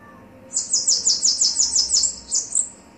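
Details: Male and female Bananaquit song: a rapid, buzzy run of about ten very high, thin slurred notes delivered in roughly two seconds, loud and clear against quiet background.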